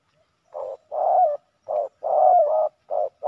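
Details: Male spotted doves fighting on the ground; hoarse, mellow coos come in short bursts, some longer and sliding, about one every half second, against a quiet background.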